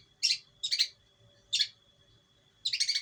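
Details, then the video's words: Long-tailed shrike from East Java, hand-raised from a chick, calling as a training lure: four harsh, rasping high bursts at irregular intervals over a faint steady electronic whine. "pancingan burung pentet."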